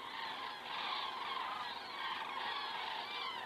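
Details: Common cranes flying over in the evening in Estonia, 19 September 2017, crane cam recording at 19:10; a continuous blur of many distant trumpeting calls, slightly softer and more smeared than a close flock.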